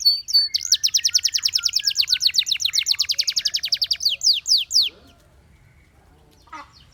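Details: Canary singing a long rapid trill of evenly repeated notes for about three seconds, then a few sweeping slurs before falling quiet, a faint brief sound near the end.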